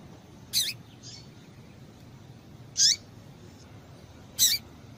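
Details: Female lined seedeater (Sporophila caerulescens) gives three sharp, high chirps about two seconds apart, a fainter note between the first two, over quiet hiss; a female call used to stimulate captive males to sing.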